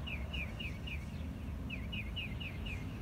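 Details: Northern mockingbird in MA: a steady series of clear, downslurred whistled notes, about nine in three seconds with a short pause midway, over heavy low traffic-like rumble.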